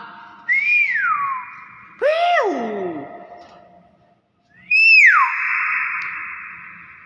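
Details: Pet common hill myna, noted for its 'wow' sound, kept indoors: three loud whistles, each a rising note that sweeps sharply down, with echoing tails and a short pause between them.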